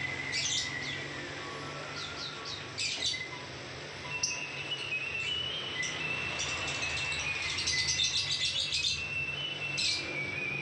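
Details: Ngekek-style lovebird song: bursts of rapid high chittering and squeaky chirps, thickest near the end, over a low steady hum.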